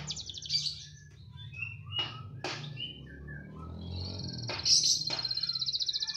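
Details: Canary, said to sing steadily wherever it is put, giving scattered sharp high notes and short warbles, then a bright rapid trill rolling to the end, with a low background hum.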